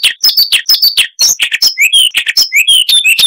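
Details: Luscinia calliope, the Siberian rubythroat, in a long varied chattering song: dense rapid mix of buzzy notes and clear high whistles, some rising, with no gaps, recorded clean with reduced background noise.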